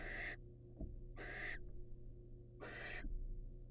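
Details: On a wild birdcam, a male barn owl offers prey to his female. Three rough, breathy screeches come at roughly one-and-a-half-second intervals, each about a third of a second long, with a soft knock between them.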